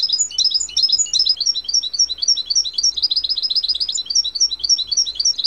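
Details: A European goldfinch sings for cage-bird training. The song is a continuous, rapid, high-pitched twitter of short, sweet, slurred notes, about three or four each second, steady and unbroken.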